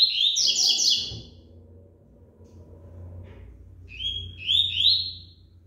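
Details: Rusty-collared seedeater in moult, still singing rapidly: dense, loud whistled notes running together, a short gap, then a new phrase of rising slurred whistles, over a low background hum.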